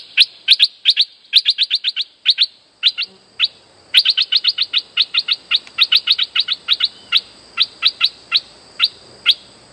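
Streak-eared Bulbul giving a long run of sharp, bright chirps in fast, uneven bursts, several per second with brief pauses. No other sounds stand out.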